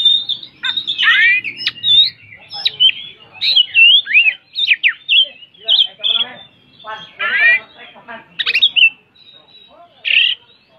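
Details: White-rumped shama from songbird contests, singing a long, varied stream of loud whistles, steep slurs and scratchy buzzing phrases, delivered in quick bursts separated by short pauses.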